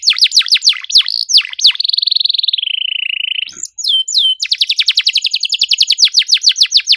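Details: Lure song of a canary meant to set quiet canaries singing, tight 'cuit cuit' delivery: fast descending chirps, then a long buzzy drawn-out note that falls slowly, a short gap, then a dense rapid trill.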